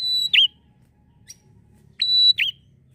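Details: Bar-winged prinia ngalun song for luring captive birds: two loud phrases, each a long level whistle breaking into a V-shaped dipping note, with a brief faint chirp between them.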